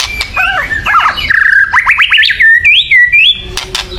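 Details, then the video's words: White-rumped shama's agitated chatter, used to make birds sing: looping whistled notes followed by a fast series of rising buzzy strokes and a clear upward whistle, repeated about four times a second, clicks at the end. "kretekan keras murai / menaikan emosi agar bunyi"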